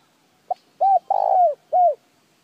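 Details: Spotted dove cooing for prompting decoy birds to call: a clipped introductory note, then three low coos, the middle one long and burry with a downward slide, the last shorter and falling. Quiet surroundings.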